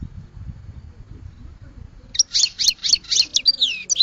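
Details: Goldfinch song, beginning after a stretch of low background rumble: a run of rapid, high, tinkling twitters and short buzzy notes, ending in descending slurred phrases.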